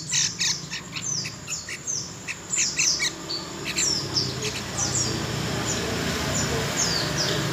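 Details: Young yellow-vented bulbul from the wild making squeaky, high chirps and short down-slurred notes, irregular at first, then sparser against rising background noise.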